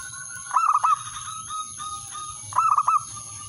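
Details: Male zebra dove calling a rival: two quick phrases of rolling cooing notes about two seconds apart, over a constant high electronic tone.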